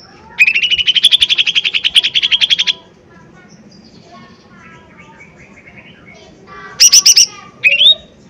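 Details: Lesser green leafbird, a forceful lure recording meant to rouse birds: a buzzy rapid trill runs about two and a half seconds, then faint soft warbling, then two loud clipped bursts close the passage.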